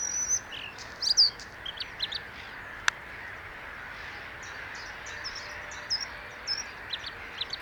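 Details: Bluethroat (Luscinia svecica) singing: scattered high, thin notes and short chirps spaced irregularly over several seconds, some sharp and metallic, against a steady faint background hiss.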